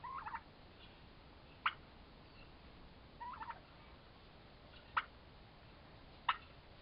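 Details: Pair of four-month-old turkey toms in a prolonged fight: brief clustered yelping bursts twice, alternating with sharp isolated snaps roughly every one and a half seconds against quiet background.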